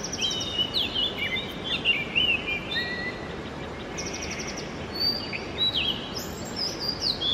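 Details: Oriental magpie-robin singing in the early morning: varied clear whistled phrases, some rising and some falling, mixed with quick trilled notes, given in bursts over a steady hiss of background noise.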